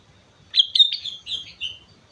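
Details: Vigorous gacor song of a sooty-headed bulbul on Mount Slamet, a short phrase of two sharp chips followed by smoother, sliding whistles that trail off lower in pitch.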